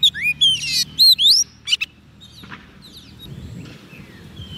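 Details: Oriental magpie-robin, a soft-food-fed bird calling wild birds: an opening burst of bright whistled upslurs and a buzzy rattle, then the singing fades into quiet background with faint distant notes.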